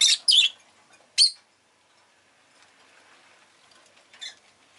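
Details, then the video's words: Rosy-faced lovebird in a home setting letting out a quick pair of shrill chirps, another a second later, then a softer distant-sounding chirp after a quiet stretch. "Lovebird Chirping Sounds"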